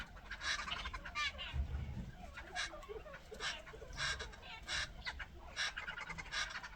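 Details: Jungle babblers give harsh, squeaky chattering notes in bursts about every half second to a second, over low rumble; said to be alarm calls warning other forest birds of danger.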